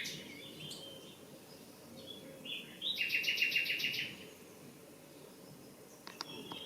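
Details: Common nightingale singing in a garden: a short rich phrase of rapid repeated high notes, a quick rattling burst of sharp chirps near the middle, with brief whistled notes before and faint clicks after against quiet background.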